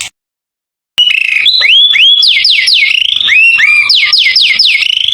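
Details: White-rumped shama song used to provoke other birds: after a short silence, loud rising and falling whistled sweeps repeated several times a second, some strongly downslurred, continuous to the end.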